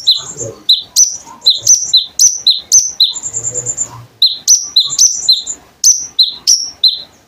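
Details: Konin bird singing energetically, used as a training recording for other songbirds: rapid sharp high chirps and short whistles repeated several times a second, with a brief buzzy trill in the middle.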